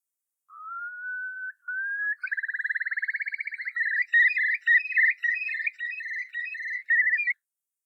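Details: Eurasian curlew from Ireland giving its haunting song: a clear whistle sliding slowly upward, then a fast bubbling trill of rapid pulsed notes that breaks into a run of warbled, slurred whistles. No other sounds.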